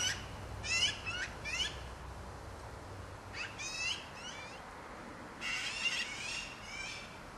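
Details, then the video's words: Black-billed magpies calling out give harsh, rasping bursts of chatter in short clusters every second or two, against a faint low hum. "Black-billed Magpies Calling Out"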